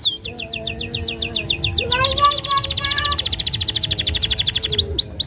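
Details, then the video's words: Singing canary delivering long 'nembak panjang' bursts meant to tutor young canaries: a fast series of bright descending notes runs into a long, dense buzzing trill, then sharp rising whistles at the end. "Suara burung Kenari Gacor Nembak Panjang"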